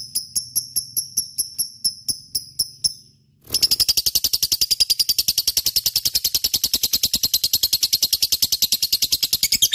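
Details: Lovebird singing in a constant gacor chatter, used as a lure recording: after about three seconds of evenly spaced, ringing high pulses, a dense run of rapid, scratchy, high chirps continues without pause.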